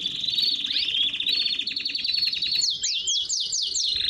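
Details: Canary in baderna style, sung to warm up other canaries: a smooth rolling trill with a few swooping notes, breaking into slower, louder, separate descending strokes near the end.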